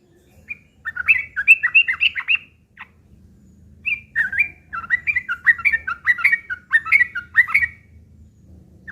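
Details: Sooty-headed bulbul's rough, chattering fighting song, played as a lure so other bulbuls will call back; two phrases of fast, warbling, slurred whistles, each run of about ten notes separated by a short gap.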